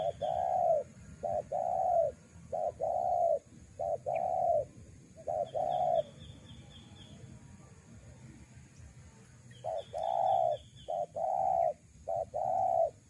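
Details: Spotted dove lure call for attracting wild doves: repeated low, mellow coos in evenly spaced series, a pause mid-recording, then the cooing resumes; faint high thin chirps sound in the background.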